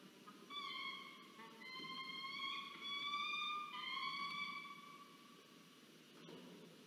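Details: Peregrine falcon at a nest in Orange, New South Wales, Australia, during a food delivery where one bird takes the prey and eats it; drawn-out whining, slightly wavering calls in a series of long notes, with hum in the background.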